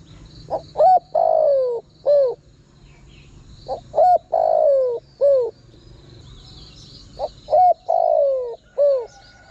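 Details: Spotted dove call used as a lure for wild birds: three rhythmic four-note phrases of hooted coos with a long descending middle croon, repeating about every three seconds, backed by continuous insect buzzing.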